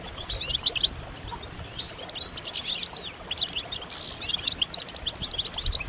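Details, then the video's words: European goldfinches in a group, their mating and readiness calls used to make silent males sing, pour out a continuous jumble of bright twittering, liquid trills and short buzzy notes from several birds at once, with faint background noise. "بتبتات جماعية رهيبة للحسون فعالة في تحفيز الحسون على التغريد والهيجان"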